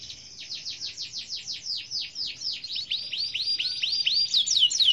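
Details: Canary singing gacor: rhythmic series of broad downslurred notes quickening into a rapid run of upward-arching notes, growing louder toward the close.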